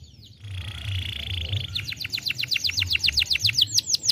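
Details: Young canary song meant to stimulate: a faint sustained tone and trill at first, then clear rapid descending whistled notes repeated about four per second, growing louder, over a low background hum.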